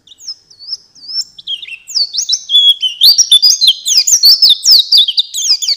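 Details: Pleci (white-eye) master song for songbird training: it opens with a few thin, descending whistled phrases, then breaks into a rapid, dense, high-pitched twittering warble that runs to the end.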